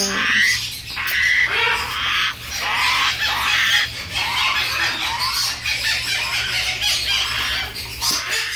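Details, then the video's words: Red-tailed grey parrot visiting its friends, expressing affection toward a companion: harsh, broadband squawks repeated throughout, with two short level whistles near the start, over steady background music. "Yaco de cola roja expresando su afecto a su amigo"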